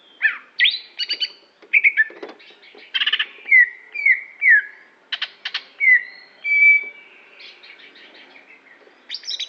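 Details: Aceh greater green leafbird, a champion show bird, pouring out a rich song of short falling whistles alternating with rasping chips and a drawn-out level whistle.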